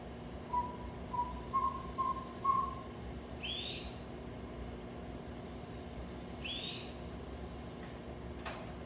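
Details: Northern Saw-whet Owl of the Pacific Northwest: four soft whistled notes, then two harsh, rising, raspy calls about three seconds apart, like a saw being sharpened (whetted), over a steady low hum.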